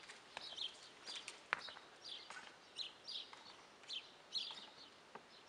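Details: Guineafowl, fairly distant, giving harsh, grating paired notes repeated roughly twice a second in a steady rhythm, with scattered clicks and a soft background hiss.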